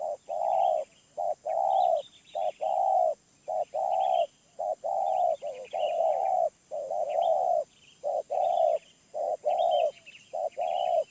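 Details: Long steady bout from a wild spotted dove with a medium-pitched voice: loud, rounded coos alternating short and long, rhythmic at nearly one pair per second. Faint thin bird chirps above.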